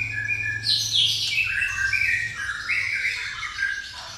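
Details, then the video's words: Caged white-rumped shama of the pastol type singing its gereja tarung song, a dense rush of bright whistles and rapid trills, sliding up and down through overlapping high phrases with almost no pause. "murai pastol isian gereja tarung"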